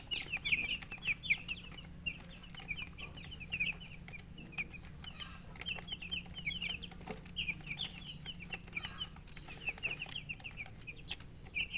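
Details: Chicken chicks keep up soft, high peeping, rows of short falling chirps running on steadily beneath a hissy, scratchy background.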